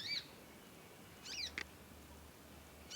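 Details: Juvenile conin practising its voice: a few thin, high, arched squeaks separated by pauses of about a second, with quiet hum beneath.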